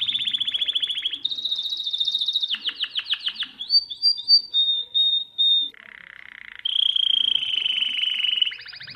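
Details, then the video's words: Belgian canary, a domestic canary song used for teaching young birds, sings a rapid string of tours: buzzy rolls, fast pulsed trills and a clear high whistle, each phrase a second or two long. "تغريد الكناري الاصلي لتعليم الفراخ Chant Canari"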